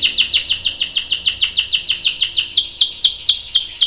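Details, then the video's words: Canary singing, with a young male said to answer in a long rolling song: rapid series of high downward-sweeping whistled notes, about two per second, steady and bright, later notes slightly louder and more spaced. "KENARI GACOR cuit cuit NGEROL bikin PAUD ikut NYAUT jadi BUNYI | CANARY SINGING"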